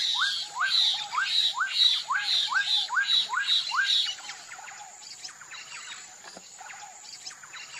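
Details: Black-capped donacobius song: a fast run of about ten loud, rising whistled notes, roughly two per second, each with a harsh buzzy overtone, for four seconds before fading into softer, scattered upslurred calls.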